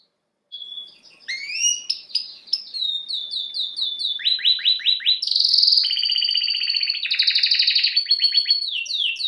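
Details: Canary singing after a brief silence: rising glides, repeated whistled notes, downward sweeps, then loud rolling trills and fast rattling runs.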